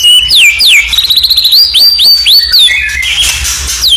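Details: Murai batu, the white-rumped shama, in a hard provoking training song for contest birds: loud clear whistles swooping down, then a run of quick rising notes, ending in a harsh rasping burst.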